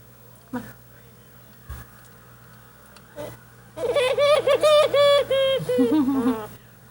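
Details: A bird eating bread gives a burst of loud, goofy, wavering nasal notes, rapidly repeated and warbling up and down over about three seconds; faint indoor background and brief clicks.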